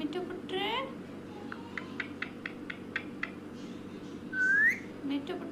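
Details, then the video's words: Parrot chattering at a selfie camera: a harmonic squawk opens, followed by a rapid series of short clicking ticks, then a loud rising whistle and a few more brief calls, over a steady low hum. "parrot talking with selfie camera"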